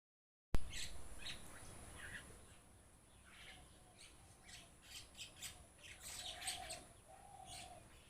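A flock of mynas chatters with harsh squawks, scratchy chirps and a few clearer whistled notes, over a steady low rumble of wind or traffic.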